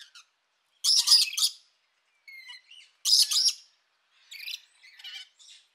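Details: Rainbow lorikeet (Trichoglossus moluccanus), call.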